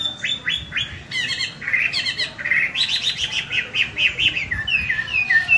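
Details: After a bath, a Chinese hwamei delivers competition-grade song: short runs of repeated downslurred whistles, then buzzy notes and looping melodic phrases, each motif repeated several times in quick succession.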